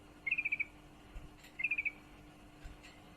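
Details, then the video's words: Female sooty-headed bulbul in heat calling a male: two quick bursts of five or six bright, even chattering notes, about a second and a half apart, with soft faint clicks between them. "trucukan betina birahi memanggil jantan"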